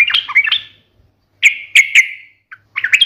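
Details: Yellow-vented bulbul in the sharp, fighting 'ngalas' song: two squawky, slurred notes, a gap, then three loud clicked chirps and a short chattering end.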